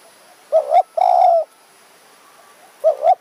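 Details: Decoy spotted dove luring wild doves in high mountain forest at Kanchanaburi, Thailand, its voice small and sharply phrased: one low coo phrase of two short notes and a long held note, followed by the start of another.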